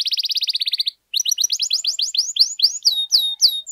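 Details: Canary singing steadily, as a model to teach and prompt other canaries: a fast buzzy trill, a short pause, then a run of quick upswept and downslurred whistles that gradually slow into sharp descending notes.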